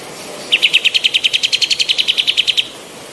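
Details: Singing female white-eared bulbul on a training recording for other birds, giving one unbroken two-second run of about twenty quick, bright, identical chirps at a steady fast pace over low background hiss.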